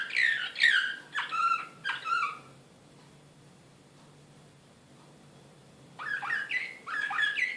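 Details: In Belgrade, 2016, an excited Serbian Slavujar canary gives four swooping, descending whistles, falls silent for about three seconds, then resumes with another quick series of rising-and-falling notes.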